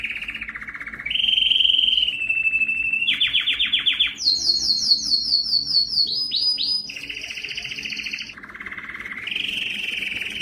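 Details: A yellow canary sings varied phrases: a lower rolling trill, buzzy mid-pitched tours, a very high rapid pulse series with quick upsweeps, then lower warbling rolls.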